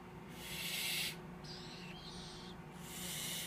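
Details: Captive tropical screech owl nestlings, hatched 6–7 March 2014, let out a long, breathy hiss, then a brief quieter one, and begin a third.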